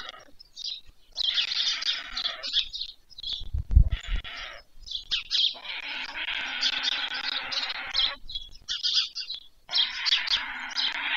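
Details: White stork chicks begging while fed at dusk, 21 July 2024, in Pyriatynskyi National Nature Park, Ukraine; rough, grating wheezes in repeated bursts, interrupted by a low thump near four seconds.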